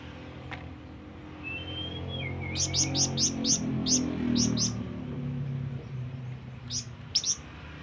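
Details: Flamboyan bird calling companions or rivals: a quick burst of about eight sharp, high chirps, then a few more after a pause, over low background music and a faint whistle.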